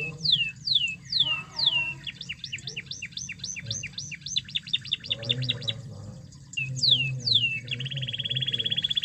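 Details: Lively canary song used to stir quiet canaries, ones that only chirp, into full singing: high downslurred whistles repeated in series, a run of quick rising notes, a brief pause, then a steady buzzy high trill; faint low hum underneath.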